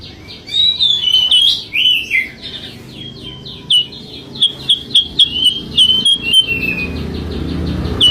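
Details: Lure song of a sooty-headed bulbul: bubbly, twisting whistled phrases followed by a string of short, quick down-slurred notes, fairly loud against a quiet background with some low rumble near the end.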